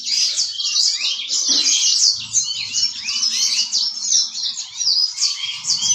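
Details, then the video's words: Singing yellow-fronted canary delivering a fast, busy torrent of high chirps, trills and rising slurred notes without pause, over a soft low hum and a few faint low knocks. "Burung Moz-Sang Gacor"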